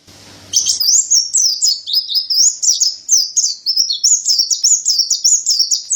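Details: After a moment of quiet hum, a Mountain white-eye (white-breasted pleci) launches into a long, fast chatter of high, thin chirps, about four notes a second, evenly high-pitched and lively, for a training recording.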